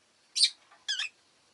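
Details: A quick pair of shrill, buzzy notes from pet rosy-faced lovebirds, which were calling frequently that day: a short harsh squeak followed by a slightly longer, warbling rasp.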